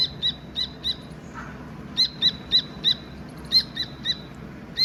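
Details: Chirps of a Dakni teetar partridge chick: short, shrill high notes, single or in groups of up to four, with uneven pauses; a faint low sound midway and quiet background noise.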